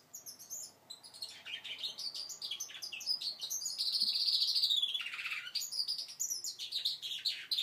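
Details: Goldfinch mule, five months old, learning to sing: a rambling twittering song of quick chirps and slurred notes, swelling into a sustained buzzy trill midway before dropping into lower warbles.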